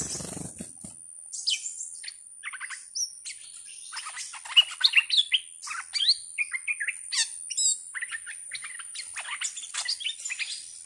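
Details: Fierce captive bulbul kept as a decoy, 18 July 2021: rapid jumbled chattering phrases with short whistled slurs, softer at first and building in the middle, over a continuous thin high whine.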